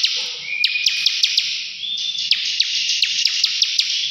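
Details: Continuous rasping buzz of a bar-winged prinia's ngebren song, punctuated by sharp clicks about five times a second and brief flat whistled notes.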